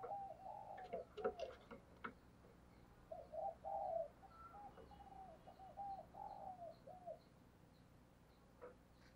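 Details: Decoy spotted dove calling insistently to provoke other doves. Sharp clicking noises come first, then a run of mellow, low coos in short bursts through the middle, followed by quiet background.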